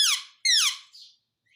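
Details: Indian ringneck parakeet voicing "mummy" as two quick, squeaky, downward-sliding syllables, the first sharp and the second fuller, ending in a soft hiss.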